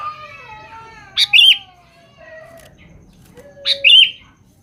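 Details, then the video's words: Chatty sooty-headed bulbul calling to females: two loud, sharp, slurred chirps about two and a half seconds apart, set against soft, drawn-out descending whistles in the background. "Suara Burung kutilang gacor memanggil manggil betina"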